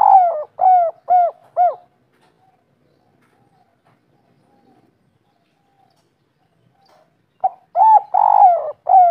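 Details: Local spotted dove in kuk 3 style: three short, falling, hollow coos, a long silent pause, then a fresh phrase of a clipped note, a drawn-out coo and quick descending hoots.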